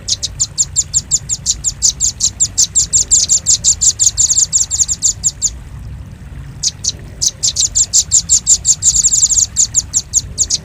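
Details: Velvet-fronted nuthatch, nicknamed doraemon bird, in a lure recording used to attract birds: rapid high, sharp chips in fast runs of about three per second, with a short pause near the middle and a faint low rumble beneath.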